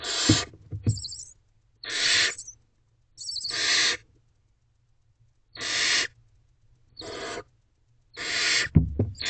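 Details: Wild barn owl owlets in a nest box at 1:47 am, 28 April 2023, jostling to position themselves against their mother. Separate, evenly spaced hissing screeches of about half a second, with silent gaps and occasional low thuds.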